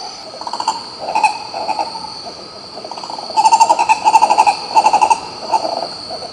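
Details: Green ibis in Pirenópolis, Goiás, Brazil, giving rapid runs of low, hollow, repeated notes in bursts of about eight to ten, with a steady high insect drone behind.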